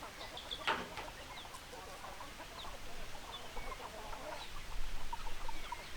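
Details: Chickens, hens and roosters together: scattered soft clucks and chirps, one sharp cluck near the start, then a denser run of short, repeated clucks toward the end over a low background rumble.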